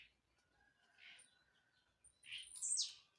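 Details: A leaping blue-black grassquit sings once: a soft lower chirp, then a bright, buzzy note sliding sharply downward from very high pitch, after a stretch of faint chirps and a thin held tone.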